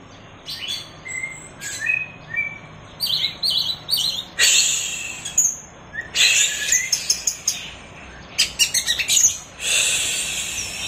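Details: Orange-headed thrush singing in the teler style, used as a tutor recording for training cage birds: bursts of high, varied chirps and whistled phrases with short gaps, over a faint background hiss.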